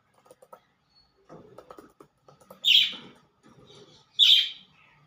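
A budgerigar gives two loud, harsh, high chirps amid soft chattering and clicks.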